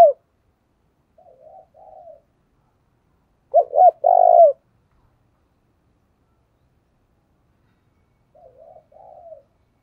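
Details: Decoy spotted dove urging wild doves to answer. Soft, wavering low coos come first, then a loud phrase of short notes and a long coo. Faint soft coos return near the end.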